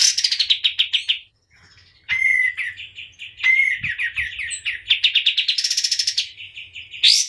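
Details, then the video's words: Continuous high twittering from a white-eye, fast chirps interspersed with short whistled slurs and a closing buzzy trill, with faint low knocks. "KAPAS TEMBAK GACOR DOR"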